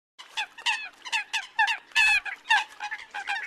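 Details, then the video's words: Eurasian coot in the new bird migration season: short nasal honking notes in quick uneven bursts, several birds calling over one another with no pause, one longer strained honk near the middle. "Tiếng Sâm Cầm mới nhất cho mùa mới chim di cư"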